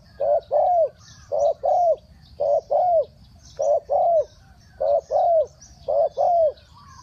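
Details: Three-kuk-hoi cooing of a spotted dove: paired soft low notes, a brief one then a longer falling one, repeated steadily about every second in a quiet rural setting.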